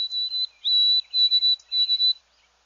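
White-throated Sparrow song: clear, pure whistles held on one high pitch, opening with long notes and ending in broken, repeated phrases, like 'old sam peabody peabody'.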